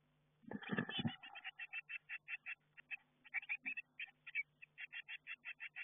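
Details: Eurasian blue tit nestlings in a garden nestbox, recorded by an internal camera as they prepare to fledge; loud scuffling thumps, then steady rhythmic high chirps about three to four per second.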